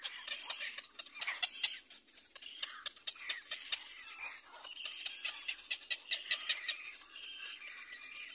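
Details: Nestling little black cormorants beg as they compete for food from their mother: sharp, high squeaky cries and clicking pulses come in quick irregular runs, with some louder peaks.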